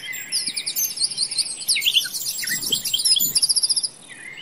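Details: Common nightingale singing in a deep forest: high, rapid whistled and chirping phrases overlapping one another, ending in a fast run of evenly repeated pulsing notes, with faint background hiss.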